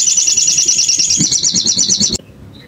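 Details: Bar-winged prinia used as a lure sound to provoke emotion and make birds sing quickly: a dense, high, buzzy trill of rapidly repeated notes lasting about two seconds, ending abruptly in near silence.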